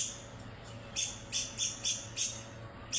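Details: White-rumped shama (murai batu) from Medan singing: a series of short, very high sharp notes repeated about every third of a second over a steady background hum.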